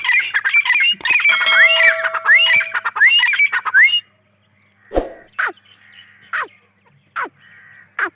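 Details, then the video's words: Grey francolin: dense, loud run of ringing, upslurred call notes for four seconds, followed by silence and a few short, sharp single notes. "Gray Dahkni teetar sounds | gray teetar ki awaz"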